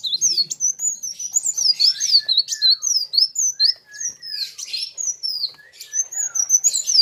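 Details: Sunbird (local name kolibri wulung) singing hard against a rival of its kind: rapid, high thin chirps and twisting whistled notes in dense, overlapping bursts, with short gaps between phrases.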